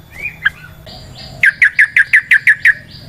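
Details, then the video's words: Trucukan, or yellow-vented bulbul, calling as a lure in 'ropel panjang' style; a few scattered soft notes, then a steady train of eight crisp, downslurred notes repeated about every quarter second. "Trucukan GACOR ngalas ROPEL PANJANG suara alam AMPUH buat pancingan"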